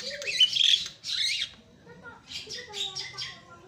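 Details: Javan myna song used to trigger other mynas: two rasping, hissing squawks followed by softer nasal chatter with faint tonal notes.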